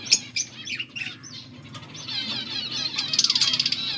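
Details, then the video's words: Budgies giving a few sharp chirps and warbles, then a rapid run of repeated ticking notes building near the end, with a low hum. "Budgies sounds for lonely birds birds chirping sounds"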